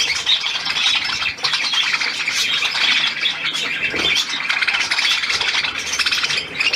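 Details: Budgerigars in captivity on 12 July 2022 give a lively chorus of fast, high chirps and grating squawks layered over one another, with a short lull just past the one-second mark.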